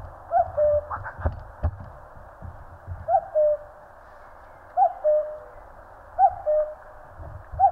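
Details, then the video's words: Common cuckoo calling in the mountains of Korea, four two-note cuck-oo calls, higher then lower, with a few sharp knocks and faint other notes early on. "청량한 뻐꾸기 울음 소리. Cuckoo chirping in the mountains."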